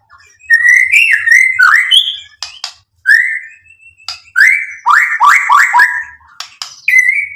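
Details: White-rumped shama singing as a lure to rouse other birds into replying: clear whistled phrases broken by short pauses, including a run of four fast down-slurred notes, with sharp clicking ticks scattered between.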